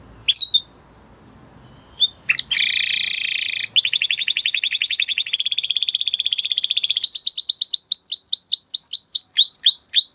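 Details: After a few short isolated notes, a male canary launches into a loud buzzy trill, a long high rolling trill, then a run of rapid downward-sweeping whistles.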